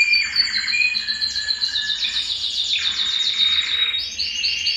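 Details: Singing Belgian canary, used to stimulate males and condition females for breeding, delivering a dense, continuous run of layered trills and rolling phrases that shift pitch, ending in slower pulsed notes.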